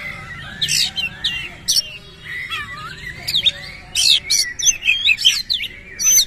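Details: Oriental magpie-robin in lively song, displaying its tail and uttering harsh fill-in phrases: buzzy high bursts, a low sliding whistle in the middle, then a rapid scratchy sequence of chirps.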